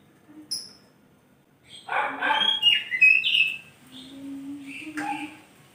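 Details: Oriental magpie-robin singing in the morning: a harsh, broad rasping burst runs into clear whistled notes that slide up and down. A brief low steady hum lies underneath.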